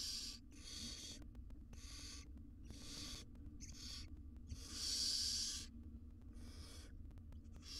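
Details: Barn owl mother grooming her tiny chicks inside a monitored nest box; short breathy hisses repeat about every second, with one longer, louder rasp near the middle and a low background hum.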